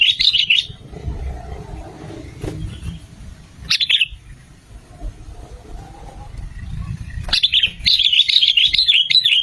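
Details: Sooty-headed bulbul, played to lure and trap birds or make them sing. Bubbly warbled phrases open and close the recording, with a short note in the middle and a quiet stretch of low rumble between.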